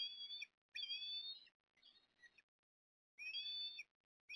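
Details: Osprey at Port Lincoln on 14 September 2022 as the male brings a fish to the female: loud, whistled, slightly rising squeals in bursts of under a second, repeated with short silent gaps between them.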